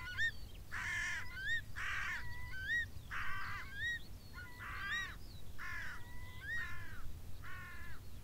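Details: Crow caws from the top of a beech tree on the moor, about eight harsh, throaty calls at a steady pace of roughly one per second, interleaved with short clear whistled notes and a low steady rumble.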